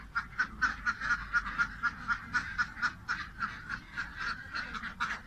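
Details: A duck quacking in a steady series of short, nasal calls, about two each second and evenly spaced, with faint low background rumble.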